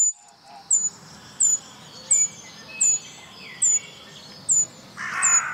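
Eurasian treecreeper giving very high, thin, sibilant notes, about eight in under six seconds, with fainter birds calling in the background.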